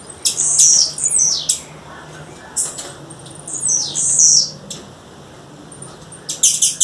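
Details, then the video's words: Female blue-black grassquit calling in the wild: high, buzzy, downward-sweeping notes in two clustered bursts, followed by a quick series of short sharp ticks at the end. "Tiziu fêmea, fêmea de tiziu chamando na natureza"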